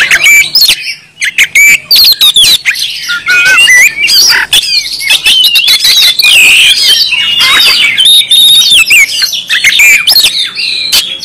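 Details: Gacor Oriental magpie-robin from Kalimantan in an insistent, continuous song: bright whistled phrases, rapid trills and scratchy chatter tumble together for eleven seconds almost without a break.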